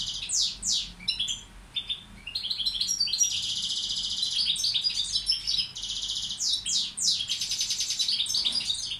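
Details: Balkan goldfinch tutor bird (Carduelis balcanica) singing a long strophe of slurred whistles, twittering runs and several drawn-out buzzy trills separated by brief chirps.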